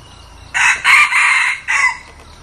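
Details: Red junglefowl decoy bird, newly acquired and being tried out for luring wild junglefowl, crows loudly: a short first note, then a longer two-part middle phrase and a clipped final note, all harsh and strident. Faint background hiss.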